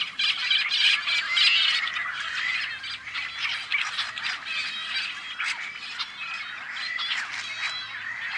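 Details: A crowded Tricolored Blackbird nesting colony on a Central Valley farm in California, May 2012: rapid, overlapping harsh, rasping and nasal calls pour out continuously, loudest at the start, forming a thick, chattering din.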